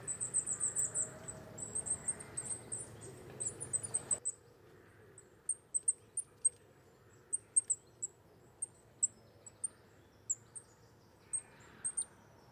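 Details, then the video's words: Coal tit (Periparus ater) giving very high, thin, sharp notes, a quick run at first, then spaced out singly; a low background rumble fades after four seconds. "Sýkora uhelníček, Coal tit, Tannenmeise, Zwarte mees"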